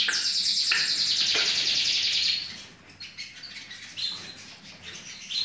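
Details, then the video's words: Canary in a breeding room, 2017 season: a fast, loud trilled song with dense repeated high notes for about two seconds, then softer scattered chirps and short phrases. "üretim hane kanarya canry birds"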